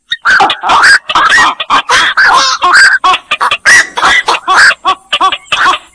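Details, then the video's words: Black-crowned night heron: a rapid run of hoarse, clucking squawks, closely spaced and overlapping, with some short looping nasal notes toward the end. "suara burung koak"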